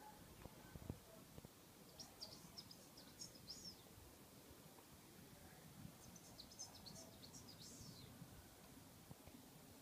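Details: Two young male goldfinches kept by the recorder giving high, thin, twittering chirps in two short bursts, near the second and sixth seconds, over a steady low rumble of background noise.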